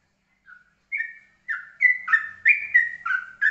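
A yellow-vented bulbul sings a bubbly run of liquid, whistled notes. It starts softly and quickens into a louder, chortling phrase, with no other sounds.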